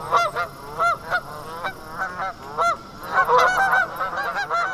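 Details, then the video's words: Geese honking in a real recording played for a children's sound-guessing game: loud, nasal honks in irregular bursts, several birds overlapping and growing busier toward the end. "Those were the sound of geese."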